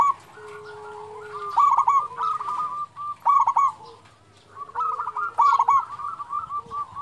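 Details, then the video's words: Local zebra dove (perkutut lokal) with a big voice. Repeated phrases of bubbling trills end in loud, stuttering accented notes, several times over. A lower drawn-out whistle is also present. "perkutut lokal gacor SUARA BESAR"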